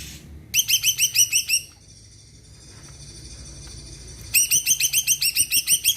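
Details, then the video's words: Two bursts of quick, bright repeated notes from a Greater green leafbird, about eight notes then a pause of roughly two and a half seconds before a second, longer burst. Its song is meant to spur other birds to sing. "Cucak ijo gacor di jamin bikin yang lain ikut rajin bunyi dan emosi"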